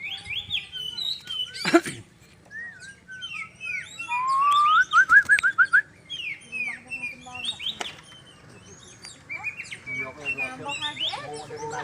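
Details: White-rumped shama showing off as if the most handsome, giving a varied whistled song: clear rising whistles, a quick ascending run of upslurred notes in the middle, then softer scattered chirps and twitters, with a sharp click near the start.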